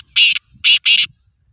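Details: Black francolin, a Sindhi tetar, voicing part of its call while being trained: three loud grating notes, one alone and then a close pair, with faint low background rumble.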